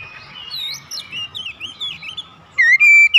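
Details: Caged Oriental magpie-robin kept at home and singing keenly in daily therapy: quiet looping warbled phrases, then a loud upslurred whistle held as a bright sustained note, with a low hum behind.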